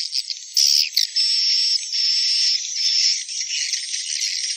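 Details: Edible-nest swiftlet sounds: a continuous high buzzing chirr with a few sharp clicks and twitters at the start and small shifts in tone throughout.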